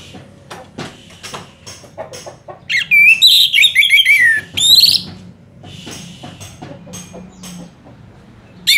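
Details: Orange-headed thrush (Geokichla citrina) singing a long gacor song used to tutor other songbirds: a rich, varied whistled phrase of slurred, rising and falling notes lasting over two seconds, among scattered clicks and quieter notes.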